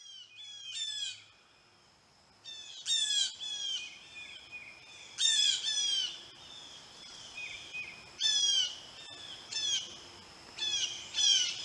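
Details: Blue jays arriving at the birdbath call loudly and harshly, with buzzy, downward-slurred notes in clusters of two to four, the clusters repeated every one to two seconds.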